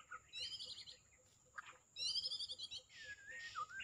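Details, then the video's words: Loud White-rumped shama song of harsh, buzzy, rattling high phrases in two bursts, separated by a lower note, then a falling whistle, with a faint steady high hum behind. "Murai Batu"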